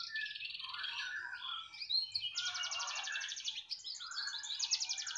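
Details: Canary delivering dense, fast rattling trills in long blocks, broken by a brief whistle, rich and continuous throughout.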